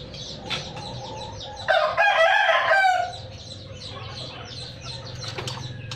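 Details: Farm-bred Red junglefowl in Sumatra crows once, a rough, loud call of about a second and a half. Steady chirping of small birds continues before and after it.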